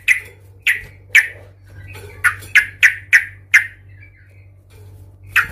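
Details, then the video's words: Agitated yellow-vented bulbul in a provoking fighting display: harsh, abrupt notes repeated irregularly, including a fast run of five in a row, over constant low hum. "Suara trucukan gacor Cuk cuk ngamuk Tarung Garuda - Ampuh untuk pancingan trucukan agar bunyi EMOSI"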